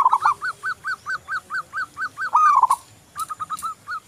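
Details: Local zebra dove singing eagerly, intended as a lure to stimulate other doves: a fast, regular run of short hooked notes, then a loud rising-falling rolling coo and a few softer staccato notes.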